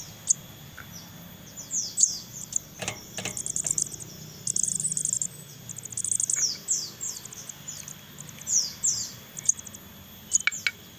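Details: Young crested jays being hand-fed, calling: scattered high, thin downslurred chirps and short shrill bursts, interrupted by clicks and tapping sounds, with quieter gaps between.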